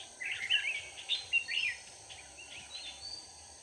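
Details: Red-whiskered bulbul used as a decoy to lure wild bulbuls during trapping on 4 March 2019: short warbled, slurred chirping phrases in bursts over the first two seconds, then softer phrases, over a steady high insect-like hiss.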